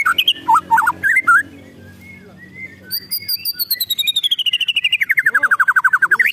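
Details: White-rumped shama giving an agitated ketrekan call: loud whistled slurred notes, then a long fast series of clipped notes about four a second, gradually falling in pitch and speeding into a rolling run.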